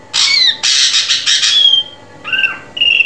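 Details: Drongo vocalising as training audio for caged birds: loud, harsh squawking bursts with a descending tone, followed by short level whistles.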